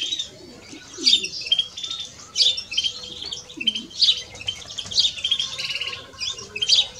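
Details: European greenfinch pair, male and female, giving rapid twittering phrases. High chirps, often doubled or trilled, repeat roughly every second. A soft, low, curved call is heard faintly beneath them.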